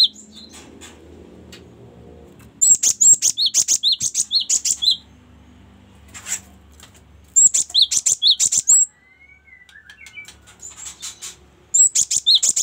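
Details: Song of a cinereous tit, one of several variations meant for training songbirds: repeated runs of quick, bright, high-pitched chirping phrases with short pauses between them, and a faint thin whistle in one gap.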